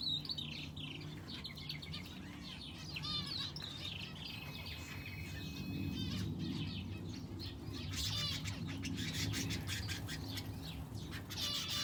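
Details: Captive finches in an aviary with a canary keep up a busy chorus of short high chirps and rising tweets. The calls come irregularly throughout, several overlapping, with a low background hum underneath.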